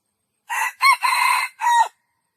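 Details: A single jungle fowl crow: a rasping, four-part call. The short first note is followed by a sharp second, then a sustained third and a falling final syllable, all in about one and a half seconds against silence.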